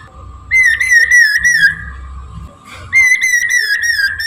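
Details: Chinese hwamei in full morning song, used as a lure for bird trapping: loud, rich whistled phrases of wavering notes, two bursts about two seconds apart, over a steady low background hum.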